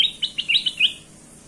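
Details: Bulbul known as kutilang emas giving a short lure phrase of five or six bright, bouncy chirps in under a second, clean and close.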